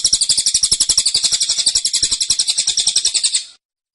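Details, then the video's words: Caged cililin delivering a dense, insistent 'tembakan' song: a fast run of high, sharp chirps, about four per second, steady for three and a half seconds before stopping. "Tembakan Cililin Suara Rapat Dan Ngotot"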